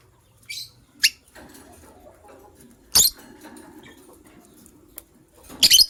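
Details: Two white lovebirds kept as a matching couple chirp in the morning: a few harsh, high, clipped notes at uneven intervals, ending in a louder double burst, with soft rustling underneath.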